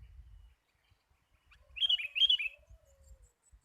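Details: Sooty-headed bulbul call used for luring birds: one loud, sharp two-part chirp with a quick trailing flourish over faint low rumble.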